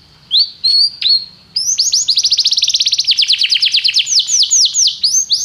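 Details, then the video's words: Canary training song: a few separate rising whistles, then a loud rapid trill of falling notes that slows into broader sweeping syllables, all high and clear. "treinamento canário - seu canário cantará muito se ouvir isso"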